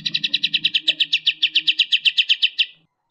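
Striated grassbird giving a fast, tight burst of sharp, high chipping notes, about seven a second over a steady thin whistle, for under three seconds.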